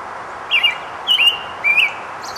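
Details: American robin singing while foraging and collecting nest material: three clear whistled, warbling phrases, each slurred up and down, spaced about half a second apart over steady background hiss.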